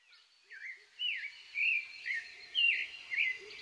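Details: An American goldfinch at bird feeders gives a quick run of high, twittering notes that sweep up and down, about two per second, over a faint outdoor hiss.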